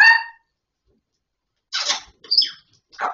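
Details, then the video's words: Grey parrot (Gris du Gabon), described as a talking parrot, gives a short harmonic call, then after a pause harsh noisy bursts, a bright rising whistled note and a final rough burst; otherwise quiet. "Perroquet qui parle /Gris du Gabon"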